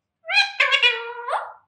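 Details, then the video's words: Pet Alexandrine parakeets in speech training, talking and saying phrases such as "Jai Shri Ram" and "Mithu Bete"; one hoarse, nasal, voice-like utterance lasting about a second and a half, with rich harmonics and a rising upturn at the end. "Talking Parrot || Jai Shri Ram || Mithu Bete"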